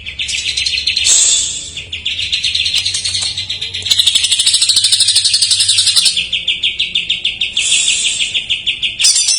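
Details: Greater green leafbird giving a jamtrok-mania isian song as a lure for raw or silent birds: a long, fast, even trill of high notes, briefly rising higher, with rapid pulses throughout.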